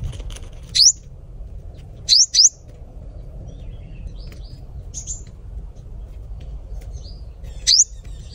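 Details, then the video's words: A sunbird sings a few thin, very high, sharply rising notes, single or paired, spaced a second or more apart over a low steady hum. "Hút mật 7 màu hót"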